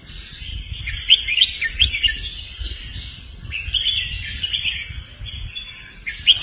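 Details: Professional cage-kept red-whiskered bulbul singing for young birds to learn from and to excite listening birds. Loud chirped phrases come in two groups, at the start and midway, over an unbroken chorus of high twittering.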